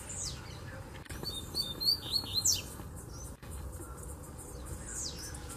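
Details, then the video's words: A brief song from a wild Double-collared seedeater in distant bamboo: about a second of fast high whistles and a sharp downward slur, framed by faint background noise. "Coleiro Mateiro Cantando no Bambuzal de Longe!!!"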